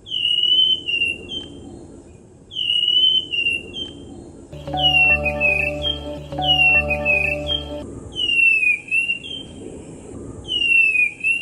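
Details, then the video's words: Ashy thrush song of loud, clear whistled phrases that swoop down and up, repeated every two to three seconds; a burst of sustained instrumental music tones plays beneath the whistles midway. "Masteran Anis Kembang Filipina"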